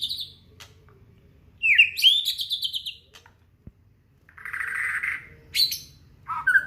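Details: Aceh white-rumped shama in full song, showing its isian fill-in repertoire: a high whistle, a sweeping buzzy phrase, a rasping churr, then sharp high notes and a short whistle.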